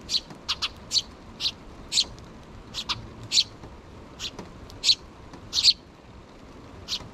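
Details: Begging calls from two sparrow chicks not yet out of the nest, parent present, June 2023: sharp high chirps repeated roughly every half second, irregular in spacing, steady and insistent across seven seconds.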